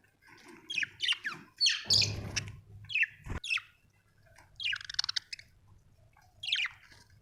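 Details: Happy pet budgerigar chattering with scattered sharp chirps and falling squeaks, interrupted by a loud broadband rustle and a click, then a fast stuttering run and a final chirp.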